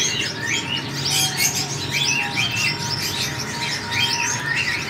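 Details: Sunbird giving rapid, high-pitched twittering with short sweeping chirps packed closely together, continuous over a low background hum.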